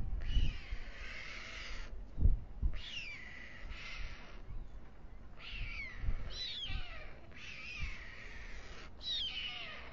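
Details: White storks at a nest on the town hall tower in Alcalá de Henares, Spain, at nightfall (21:55) as the male feeds two chicks, give harsh, hissing, rasping bursts about a second long, repeated every couple of seconds, over low dull thumps.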